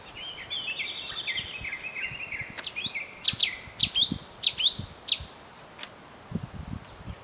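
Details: Yellow tit recorded on a Canon EOS 7D: soft, flat whistled notes at first, then a louder string of high, bright chirps with upward flicks, ending in quiet with scattered faint clicks.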